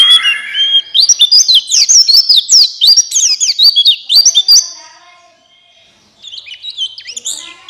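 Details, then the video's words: Buxtoni white-eye song used as a prompt to get other white-eyes singing, to make lazy birds open their beaks and sing lively: rapid high twittering with sweeping whistled notes for about five seconds, a pause, then softer thin trills. "Pancingan Pleci Cepat buka paruh Gacor Ngalas Bukpar"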